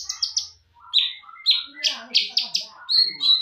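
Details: Short passage from a champion greater green leafbird's full-isian song: loud, high, clipped whistles and buzzy notes given in quick succession, ending on a sustained whistled tone with a softer lower note beneath.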